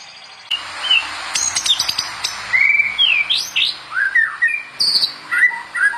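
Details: White-rumped shama master song for training other birds: abrupt start into sharp clicks and high notes, then a run of rich slurred whistles rising and falling, repeated in short phrases.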